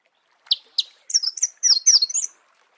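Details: In natural habitat, a Marico sunbird gives two sharp high chips, then a fast tumbling warble of squeaky, slurred notes lasting about a second.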